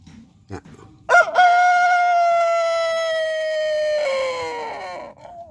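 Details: Crowing rooster during a morning sunning session: after a couple of faint knocks, a loud sustained crow rings out for about four seconds, holding level before sagging lower at the close.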